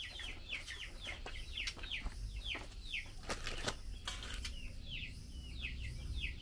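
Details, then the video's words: Female Chinese hwamei, kept and fed mealworms, calling to the male: quick series of short, bright, downward-sweeping chirps repeated several times a second, with a pulsing insect-like buzz above and low background rumble. "Tiểu mi mái chép gọi trống khi cho ăn sâu gạo"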